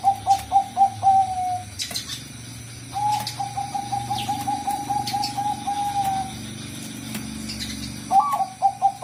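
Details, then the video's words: Zebra dove of the Bangkok type, used as a lure song: soft, beaded coos near one pitch, first a quick run of separate notes, then a long rapid trill from three to six seconds, resuming near the end, with faint clicks behind. "pancinga suara Perkutut Bangkok"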